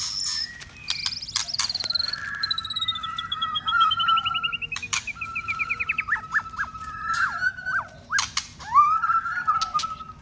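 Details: White-rumped shama in contest song training, being stimulated to sing hard: a long varied run of clear whistled phrases, a falling series of fast rising slurs, then loud sharp clicks and bright warbled notes.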